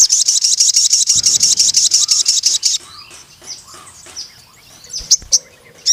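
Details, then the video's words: Crimson sunbird singing: a fast, even trill of very high metallic notes for nearly three seconds, then scattered soft chirps and ticks. "BURUNG SOGON MANAPUN CEPAT GACOR DAN NEMBAK PANJANG DENGAR INI"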